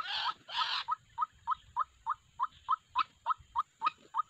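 White-breasted waterhen: two harsh, rasping bursts, then a steady run of about a dozen short, hollow, mid-pitched notes, roughly three or four per second.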